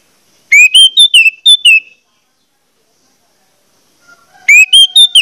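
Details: Lure song of an orange-headed thrush to prompt others to sing. A quick series of bright whistled notes, rising then dipping, lasting over a second, then silence until a second phrase begins near the end.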